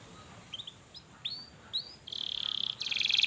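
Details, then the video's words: Canary lure song for young canaries: faint scattered upslurred chirps against background noise, then two loud buzzy fast trills near the end. "KENARI GACOR PANJANG Cuit Cuit EMOSI, Pancingan Kenari Paud Belajar Bunyi"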